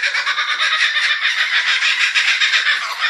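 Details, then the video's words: A laughing kookaburra gives a harsh, rapid cackling chorus, a steady run of throaty pulses several times a second without pause. "zvuk lednak"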